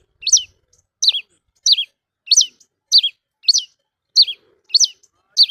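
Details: Cravina, or red-cowled cardinal, repeating a loud clear whistle that falls in steps, nine times at a steady pace of roughly one every 0.6 seconds, with a quiet background.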